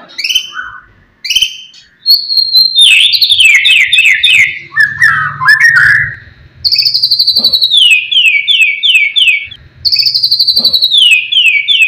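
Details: White-rumped shama (murai batu) in full song, sharp material meant to provoke rival birds: loud clear whistles, then descending runs of repeated slurred notes, a buzzy chattering passage, and more falling whistled series.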